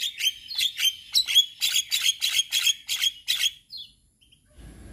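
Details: Male Javan myna singing as a model for other mynas: about a dozen harsh, ringing chirps in quick succession, then a brief faint whistle and silence.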